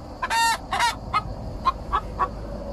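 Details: Araucana hen singing while drinking: two loud, harsh broadband squawks followed by a series of short, thin, higher notes spaced about a quarter second apart, over steady background noise.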